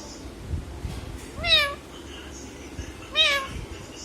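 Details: Two drawn-out, cat-like meows from a talking parrot imitating a cat, spaced under two seconds apart, each bending down at the end, over quiet room noise.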